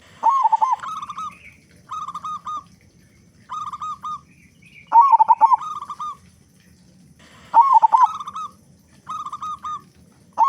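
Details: Local zebra dove with a loud, big voice, singing as a lure for other doves: repeated rolling, bubbling coo phrases, each followed by level stuttered coos, with quieter coo series in between.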